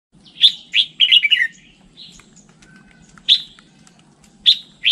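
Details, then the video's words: Red-whiskered bulbul singing: bright, chirpy whistled notes in a quick tumbling phrase, then scattered single sharp chirps every second or so, over a faint low hum. "Tiếng chim chào mào chuẩn"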